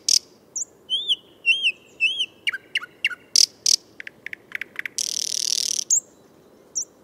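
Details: Thrush nightingale song from Moscow, a varied phrase of looping whistled notes, rapid sharp clicks and chocks, then a harsh buzzy rattle of about a second and a final short note.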